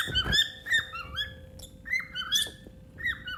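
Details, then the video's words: A happy female pet cockatiel sings indoors, while a companion bird hides, in bright whistled notes, each rising then dropping, given in short bursts roughly every half second, with faint room noise underneath. "My happy bird sings while her best-friend hides"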